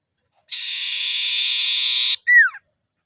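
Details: Common iora calling rivals in a lure recording meant to make silent birds sing, in the trilling ngetir style. One long, even, buzzy trilled note lasts about 1.7 seconds, then a short, loud note drops in pitch.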